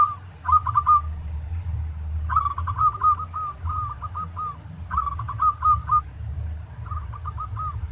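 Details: Local zebra dove song used as a training recording to get other doves singing: bursts of short, clipped, ladder-like cooing notes at a steady mid pitch, phrases about every two seconds, over a constant low rumbling background.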